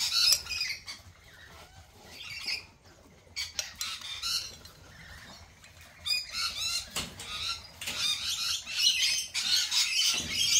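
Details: Lorikeets at a cafe: a flock of overlapping shrill, rasping screeches and chatter, with bursts of harsh squawks coming every second or so and louder at the start and end.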